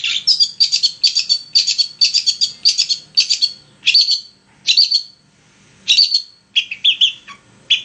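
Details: Long-tailed shrike singing continuously as a lure for other shrikes: a series of buzzy, trilled high phrases repeated roughly twice a second, then a pause and a few varied chattering notes.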